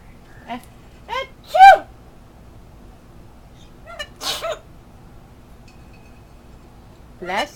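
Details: Pet parrot imitating household noises, here faking a sneeze: short rising and falling tonal squeaks followed by a burst of broad hissing noise, then more gliding squeaks, with a person saying bless you.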